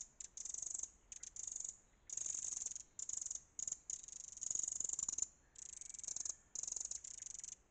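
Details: A wren mobbing a fox near its nest under log roots gives an alarm call: hard, high, rapid ticking rattles in bursts of about half a second to a second, with short pauses between.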